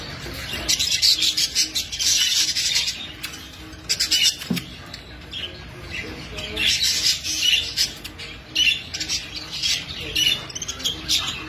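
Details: A grey English budgerigar chatters in fast, scratchy bursts of high warbling and squeaks.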